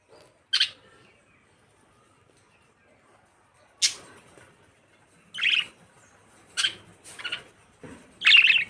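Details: Pet budgerigars chirping: short scattered bursts of high chirps at irregular intervals, with quiet gaps between, some bursts doubled or clustered near the end.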